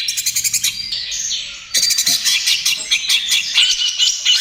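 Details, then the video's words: Greater green leafbird, trotol-stage youngster, in energetic song for luring and calming other birds: a fast pulsed series of sharp notes, a brief pause, then a loud continuous tumble of chirps and twitters. "SUARA CUCAK IJO TROTOL GACOR, AMPUH UNTUK PANCINGAN DAN TERAPI"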